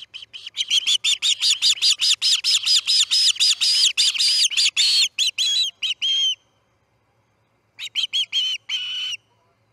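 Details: Osprey calling at the Charlo nest, 6:03am MDT on August 10, 2018, as a chick fledges: a long, insistent run of shrill whistled chirps, a brief pause, then another short burst.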